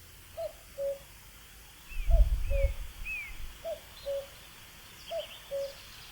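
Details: A common cuckoo gives four clear 'cuck-oo' pairs, each a higher note dropping to a lower one, while another bird adds three short rising whistles and a low thump of noise passes midway.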